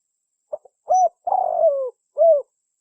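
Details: Spotted dove (tekukur) call used as a hunting lure: a few soft clicks, a short coo, then a long rough descending coo and a final clear rounded coo, low and mellow.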